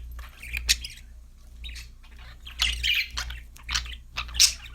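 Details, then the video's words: Budgies singing happily: spaced bursts of harsh squawky chirps and thin high notes, several calls in under five seconds, with a constant low hum underneath. "budgies chirping sound"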